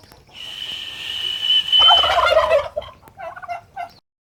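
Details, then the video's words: Farm turkeys responding to their keeper: a steady whistled tone, then a loud, quavering 'glú glú' gobble with a rattling burst, followed by a few shorter, fainter gobble fragments. "Sonido de los pavos"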